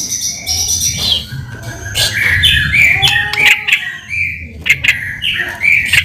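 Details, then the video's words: White-rumped shama song used as a lure to provoke a response: varied whistled and chattering phrases mostly around mid-high pitch, with steady low background noise. "PANCINGAN MURAI BATU GACOR CEPAT RESPON LANGSUNG BUNYI"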